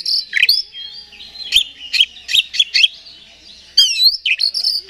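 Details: Oriental magpie-robin (kacer) song used as a lure to quickly rouse another magpie-robin's aggression and singing: sweet whistled notes around a steady high tone, broken by sharp clicks and a rapid buzzy trill, in bursts.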